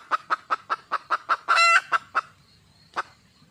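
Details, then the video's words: Wild junglefowl hen calling out for a male, a brisk string of evenly spaced clucks broken by one loud, harsh, stretched squawk, then two more clucks and a single late note. "le bruit d'une poule sauvage,เสียงไก่ป่าร้องหาถู่หาตัวผู้,ສຽງໄກ່ປ່າຮ້ອງຫາຄູ່ຮັກ, poj qaib qus see"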